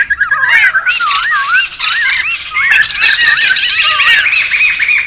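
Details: Wild laughingthrushes in noisy chatter, recorded for luring and tutoring birds: bouncing whistled notes and harsh squawking bursts from several birds, coming in uneven waves.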